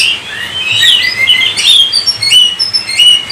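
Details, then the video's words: Oriental magpie-robin song: a sequence of clear slurred whistles rising and falling, a buzzy rasp, then several evenly spaced short whistled notes. "Kacer COVID-20 mampu sebarkan virus gacor kacer Anda"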